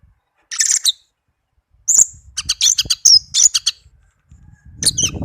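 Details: Melodious song of a tame pet orange-headed thrush, made of short high buzzy chirps and quick notes in irregular bursts, with a soft low rumble at the close.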